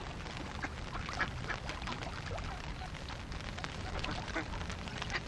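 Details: Hungry ducks, roughly fifty of them, keep up a busy jumble of short harsh quacks that rarely pause, with heavy low-pitched background noise underneath.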